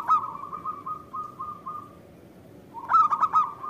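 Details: Zebra dove of a local Indonesian strain singing as a lure so other doves answer. A short cooing burst opens, then a gentle rippling purr, and finally a clipped run of about four ringing notes.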